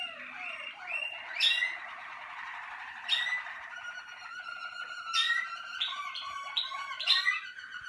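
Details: Malinois Waterslager canary from a 2019 selection team, singing liquid gurgling rolls punctuated every one to two seconds by sharp bright plinking notes, the phrases shifting in pitch.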